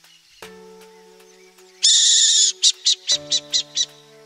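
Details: A wild Burrowing owl, apparently in Brazil, gives one long harsh hissing rasp, then six short rasping bursts at about four per second, over steady low humming tones.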